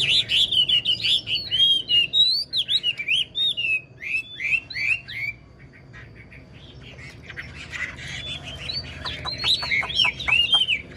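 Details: Old wild-caught Chinese hwamei in a cage, known for an excellent singing voice, sings fast chains of loud slurred whistles for several seconds. After a brief quieter pause, it resumes with bright rapid downslurred notes.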